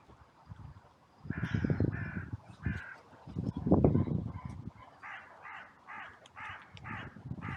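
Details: Crows in a cemetery under a blue sky, gathering in an outcry after a brief fight between two crows, recorded on a trail camera. Clusters of short, raspy caws repeat rapidly, mixed with loud low thumping and rumbling noise.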